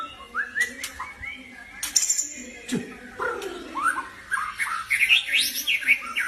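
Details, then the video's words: An albino white-rumped shama, cotton-white, sings a varied series of clear whistled phrases, some rising, some sliding down, ending in quick bright high notes; a few sharp clicks and faint background noise occur between phrases. "Suara Asli Murai batu Albino"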